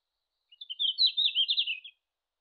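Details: Red-flanked bluetail, a wild bird of Japan, recorded in June. A single brisk song phrase of rapid, high chirping notes that wobble up and down and then trail off slightly lower. No other sounds.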